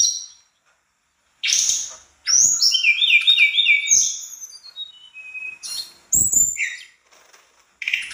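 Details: ['Mangrove blue flycatcher singing a vigorous song in the style called gacor isian, full of fill-in phrases: high, varied whistled notes and fast descending trills, with short pauses between bursts.']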